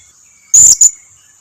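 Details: Blue-crowned hanging parrot lure call, used to make other hanging parrots that seldom call answer at once: two very high, thin, shrill notes in quick succession, the first longer, against a quiet background.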